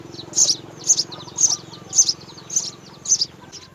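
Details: Three house sparrow young at the nest being fed by both parents: six bright, high chirps repeat at a steady rhythm of about two per second against a faint low drone.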